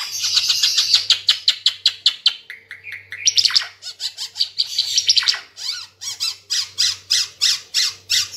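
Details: Lively Ara Timor bird song for training caged birds: quick ticking series of high notes, a passage of lower whistled slurs, then rapid buzzy chattering bursts repeated steadily to the end.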